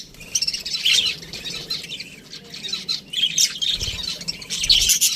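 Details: Budgerigars in an aviary calling in overlapping bursts of harsh, high chirps and squawks, quieter in the middle, with soft low bumps.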